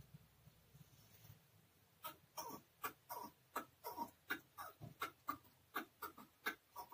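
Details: Caged chukar partridge, known locally as keklik, in Tajikistan in 2020. After two quiet seconds, sharp, dry clucking notes start and repeat in a quick, slightly uneven series of about three per second until the end.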